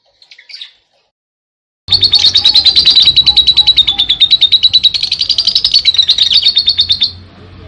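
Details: Lovebird delivering a long ngekek song: after a short opening chirp and a pause, an unbroken rapid chattering trill of sharp high pulses runs for about five seconds at steady pitch, then fades out.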